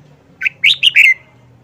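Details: Caged wild-caught red-whiskered bulbul, held four months, singing one of its characteristic phrases: a brief lead note, then three rapid, loud chirps ending in a falling slur, all within under a second.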